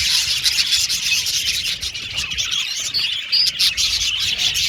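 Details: Many budgerigars in an aviary colony twitter and chirp continuously, with a few clear whistled notes rising out of the dense chatter.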